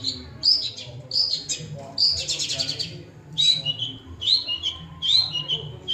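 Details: Mimicking long-tailed shrike in varied song, alternating short bright whistles with raspy buzzing chatter and quick chirps, phrases of about one second following one another irregularly.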